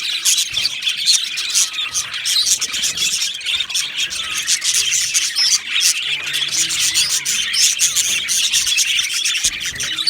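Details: Two male budgerigars chirping in a dense, unbroken stream of scratchy, warbling chatter with quick high notes, steady and busy for the whole stretch.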